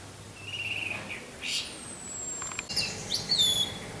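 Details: Orange-headed thrush with wind sound, singing in the teler style: a wavering mid-pitched warble, a long thin high whistle, then sharp clicks and bright descending whistled notes.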